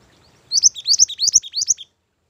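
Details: A Mantenan gunung bird sings a lure phrase for training: paired notes, each a high upslur dropping into a lower downslurred tail, repeated about five times, slightly slower and fuller than a plain trill.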